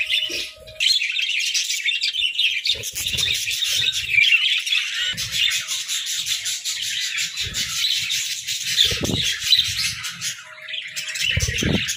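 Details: A budgie flock in its cozy hut pours out steady high-pitched twittering and chirping chatter after a brief quieter start, with occasional low thuds beneath.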